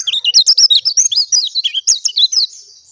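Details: Pleci dakun, an oriental white-eye, pours out a loud, continuous stream of fast, high, twittering notes, each a short wavering slur, running for over two seconds before fading.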